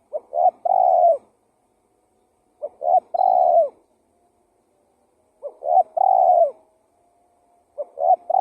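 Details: Spotted dove lure call: phrases of low, hollow coos, with a short stuttering note, a steady coo and a longer rolling, downslurred coo, repeated roughly every two and a half seconds across four phrases in quiet surroundings.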